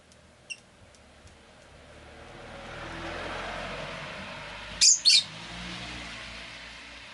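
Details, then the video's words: Rosy-faced lovebird kept as a pet, two sharp, high, harsh chirps in quick succession near the end, over a steady hum of street and traffic noise with a couple of faint ticks early on. "Lovebird Chirping Sounds"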